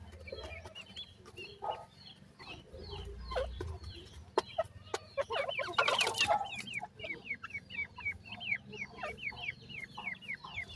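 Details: Francolin (teetar) chicks while feeding. Thin, high, downward-sliding peeps come in a quick series of about three per second in the second half. Earlier are scattered softer chirps, sharp clicks and a loud broad rustling burst, over a low background hum.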